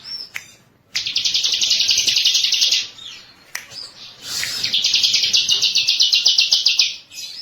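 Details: Two long bursts of high, rattling trilled song from a bar-winged prinia (ciblek), each lasting about two to three seconds with evenly pulsed notes, separated by a brief pause and a noisy rustle.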